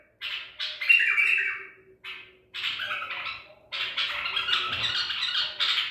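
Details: Baghdadi white-eared bulbul, wild-caught at Medical City, 14 April 2021, giving rough, scratchy phrases in short bursts, then longer continuous raspy chatter with a faint low hum beneath.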